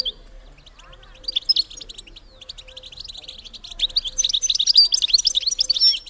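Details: Female European goldfinch calling, a recording meant to stimulate males to mate: quiet at first, then bright high chirps from about one second, building into a dense, rapid, tinkling twitter that grows louder toward the end.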